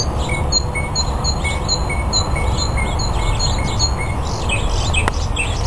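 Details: Male northern mockingbird singing and dancing to attract a mate at the Cal State Fullerton Arboretum; short repeated chirping notes come about twice a second over a strong steady hiss, with a sharp click near the end.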